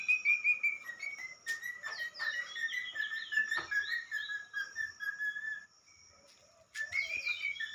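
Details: Pet talking parrot singing indoors: a run of warbled, whistled phrases that slide up and down, with rapid twittering notes, a brief pause, then another burst of sliding whistles.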